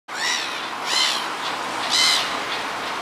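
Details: Black-headed gull calling insistently because it wants something and nobody responds: three loud, harsh, drawn-out squealing cries, roughly one per second, over a steady background hiss.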